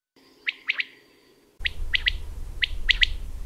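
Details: Abrupt, far-carrying common quail song: crisp triple-pulsed phrases given in quick succession, first over a quiet background, then against a sudden rise of low rumbling noise.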